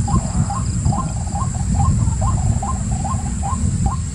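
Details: White-breasted waterhen calling: a short upslurred note repeated steadily about twice a second over a loud low rumble and a constant high hiss.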